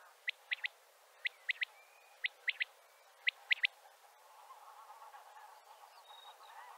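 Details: A male common quail gives its gathering call to other quails: four sharp, liquid three-note 'wet-my-lips' phrases, about one per second, followed by a faint background hum.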